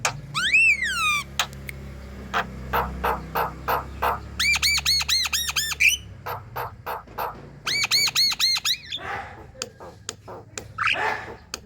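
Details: Javan myna in moult, its lively chatter used to prompt other Javan mynas to sing: an opening descending sweep, scattered harsh clicks, then two rapid runs of arched ringing notes and a final rising squeal.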